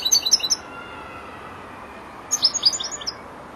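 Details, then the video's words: European goldfinch aged four months, a learning bird beginning to finish its song strophes: a brief burst of sharp, high chirps, a pause of nearly two seconds, then another twittering run of rapid liquid notes. "jilguero el estudiante rematando"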